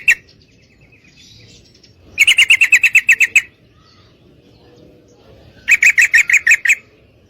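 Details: Female Yellow-vented Bulbul inviting a male to mate, giving two fast rattling runs of ten or more sharp, ringing notes, a few seconds apart, with soft background rustle between.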